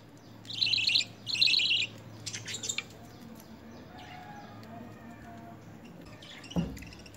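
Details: Lovebirds during early hand-feeding training on spinach and coriander: two rapid, harsh chirping bursts near the start, then a few scattered squeaks, followed by quiet background with a single soft thump.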